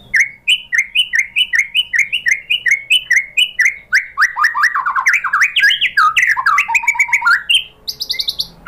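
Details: White-rumped shama (murai batu) pancingan, a lure song meant to make other shamas reply. Steady repeated two-part whistled phrases build into a dense, tumbling jumble of rich varied notes, ending in a high buzzy burst.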